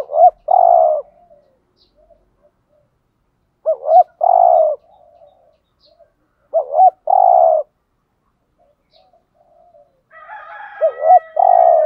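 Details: 'Thúc gù' style cooing from a spotted dove meant to draw in wild doves: four phrases, each a quick wavering double note then a sustained mellow coo, about every three seconds. A faint higher chatter joins near the end.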